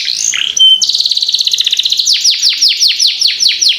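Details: Young canary in long rolling song, used for training other birds to sing: opening warble and whistle, then a long steady buzzy trill that turns into rapid repeated downward-sweeping notes, about nine in a row.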